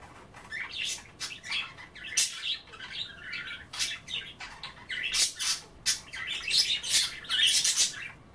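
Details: Pet budgerigars nibbling kale and water at bath time, chattering constantly; dense run of scratchy squawks, twitters and clicks building louder toward the end.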